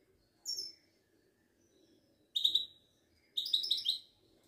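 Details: Moroccan Widani goldfinch, a kept songbird, giving a high sliding note and then two fast twittering trills of bright, tinkling notes separated by roughly one second of quiet.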